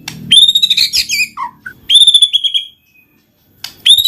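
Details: Murai batu (white-rumped shama) lure song to provoke silent shamas into singing: ringing high whistles with rich overtones, a short tumbling phrase, then a pause before another bright high whistle.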